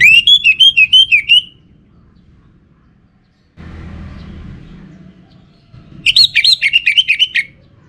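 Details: In northern Bali a caged Orange-headed thrush sings two phrases of quick, wavering whistles, each about a second and a half of pulsed notes, with a stretch of low noise between.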